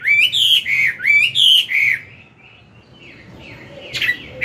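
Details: Caged Chinese hwamei, an old wild-caught bird singing its forest-style morning song to train newly caught birds. Loud, rich whistled phrases that loop up and down, repeated about twice a second for two seconds, then fading to faint, softer notes.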